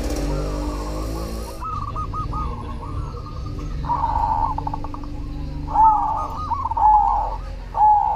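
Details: Zebra dove of the cemani variety in full song: after a loud noisy opening, rolling purred coos with a tremolo, each phrase ending in a clearer swooping note, repeated roughly once a second.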